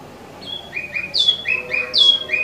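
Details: Imported caged Wambi mini (Tieu Mi) in song: sweet whistled notes alternating between a higher and lower pitch, some swooping down from sharp high starts, growing louder over two seconds.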